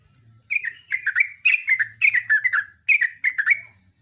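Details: Vigorous Yellow-vented bulbul song in a long fast run: about ten bright, bubbly notes that drop in pitch, delivered almost without pause, with a low steady hum beneath.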